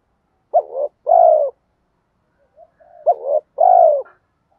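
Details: Spotted dove calling in a recording made to lure wild doves, 2024, in a style named giọng thổ. Two deep coo phrases, each a short, wavering double note followed by a long, hoarse, falling coo, with a faint soft murmur between them.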